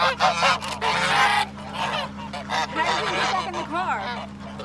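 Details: Attacking swan goose: bursts of harsh, grating honks and rapid wavering calls that rise and fall, mixed with heavy rushing noise and a constant low hum throughout.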